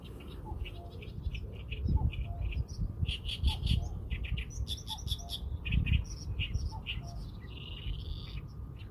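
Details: Busy bird chirping: fast repeated high notes in runs, overlapping twitters and a drawn-out buzzy phrase near the end, set against a low rumbling background.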